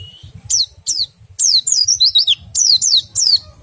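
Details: Oriental white-eye in the nembak and riwik styles, intended to spur other white-eyes into song: loud, piercing downslurred notes, partly single and partly in quick runs, each dropping sharply in pitch.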